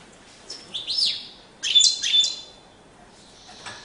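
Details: European goldfinch singing in courtship display: short bright twittering phrases with rising and falling whistled notes in two bursts, separated by brief pauses.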